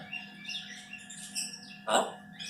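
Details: Four-year-old female pet Congo African grey parrot gives short chirps and thin whistled notes, with a louder broad squawk near two seconds, over a steady low hum.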